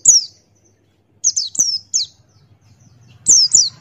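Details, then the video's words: High, thin, descending chirps from a male Buxtoni white-eye in full 'ngalas' song with beak open. A single note, then four quick downslurred chirps, a short pause, and two more at the end. "Masteran Pleci Buxtoni Ngalas Buka Paruh"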